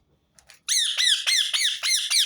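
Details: Harsh, piercing screeches of a rose-ringed parakeet, about six in a fast, even series. The call is repeated to make other birds sing.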